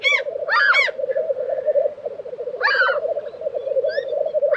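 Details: Low continuous burbling of a black grouse lek, Tiveden, Sweden, in April 2023. Sharp separate chirps from other songbirds cut in a few times over the droning chorus.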